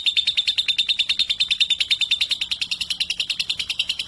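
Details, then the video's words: Lovebird of 3.5 months singing in a rapid, even series of shrill, metallic chirps, roughly three per second, with a faint low hum beneath; the bird is described as bold with adults and fit for tutoring. "Lovebird 3.5 🌒 berani trek dengan dewasa dan Cocok buat masteran"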